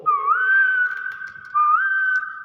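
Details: A common hill myna, a talking bird, gives two loud, pure whistles about one and a half seconds apart, each sliding upward and then holding a steady note, on an overcast day with rain coming.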